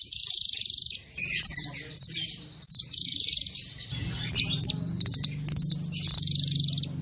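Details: Small bird singing full tembakan variations for masteran: buzzy high trill bursts about a second long alternate with sharp, ringing single chips, repeated throughout.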